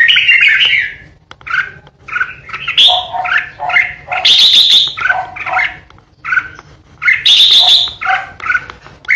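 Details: Caged red-whiskered bulbul, a lure bird kept for song contests, singing in the sharp ché style: loud bursts of bubbly, warbled phrases, some harsh and squawky, separated by brief pauses, with a steady low hum behind.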